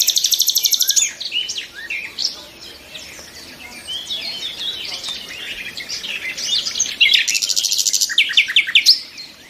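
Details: Nightingales singing: a fast, buzzy trill of repeated high notes opens, then a dense overlapping chatter of short varied whistles and chirps from several birds, ending in another rapid stuttering trill.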